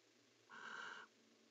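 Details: Barn owl in a nest box during mating: a single breathy, hissing screech of about half a second, broad and rough, with a quiet hum before and after.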